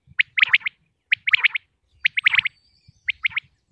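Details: A common quail in Pakistan repeats its liquid three-note 'wet-my-lips' phrase, each led by a soft opening note, roughly once a second, over a faint low rumble.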